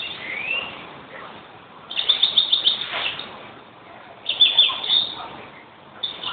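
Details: European greenfinch song in bursts: rapid trilled runs of high twittering notes about a second long, separated by pauses, with a brief rising note at the start and soft background hiss.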